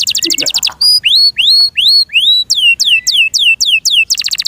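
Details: Captive canary: a brief rapid rattle, then clear rising whistled slurs, then drooping whistles that fall in pitch, closing with a fast dense trill.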